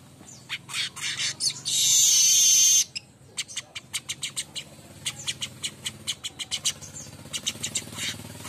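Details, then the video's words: Morning singing by a streaked weaver: quick dry clicking notes, a loud harsh buzz of about a second, then long trains of rapid ticking notes. "gacoran burung Manyar kembang pagi"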